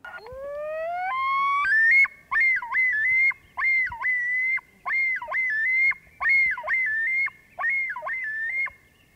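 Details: A male Common Loon gives the yodel on its breeding territory, a call usually given when an intruder flies into or over the territory: a long wailing introduction climbing in steps, then about five loud, rollicking repeated syllables.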